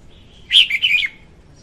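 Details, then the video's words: Female red-whiskered bulbul singing, a recording used as a lure for trapping birds: one short, bright, warbling phrase of quick whistled notes, loud and clear against a quiet background. "Tiếng chim chào mào hót Ko Tạp Âm dùng đi bẫy"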